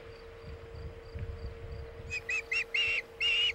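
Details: Osprey at a nest on Chesapeake Bay, 27 August 2019, afternoon, during a fish delivery of a bluefish tail: after a faint hum, a series of five sharp, whistled chirps starts midway, growing louder and longer toward the end.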